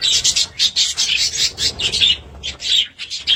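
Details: Loud, close budgerigar chatter: fast, buzzy, high warbled notes in quick pulses, roughly several per second, with short gaps near the end.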